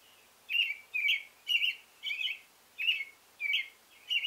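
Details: Singing male American robin delivering a fast run of seven rich whistled phrases, nearly two per second, each falling slightly with a faint harsh edge, with no other sounds.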